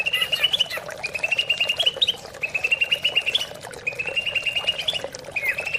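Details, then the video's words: Greater green leafbird song used as a lure to prompt silent leafbirds to sing: bright, warbled high phrases about a second long, each a run of quick rising-and-falling notes, repeated with short gaps over a steady low hum. "PANCINGAN SUARA CUCAK IJO MACET BUNYI"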